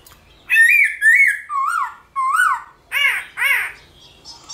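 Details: Morning fighting song of a black-throated laughingthrush: rich harmonic whistles, first level then dropping, then two falling slurred notes and two harsher, buzzier arched notes, evenly spaced about half a second apart.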